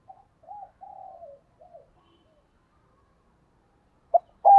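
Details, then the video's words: Spotted dove coo used to lure wild birds: a soft, low, hollow phrase of several short notes, the middle one drawn out and falling, followed by silence and two abrupt loud bursts at the end. "Tiếng chim cu gáy kích bổi nhanh nổi hiệu quả nhất"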